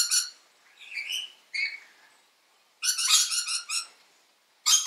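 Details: A Mitchell's lorikeet heard close up gives loud, harsh, high, screechy squawks in short bursts, some raspy and rolling, with brief pauses; such constant loud calls are thought to keep the flock together.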